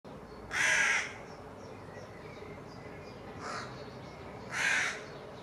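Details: Eurasian jays harassing an eagle owl in Dannenberg (Elbe), Germany, on 31 May 2024, driving it off within two minutes; two loud, harsh rasping screeches a few seconds apart with a fainter one between, over quiet rural background.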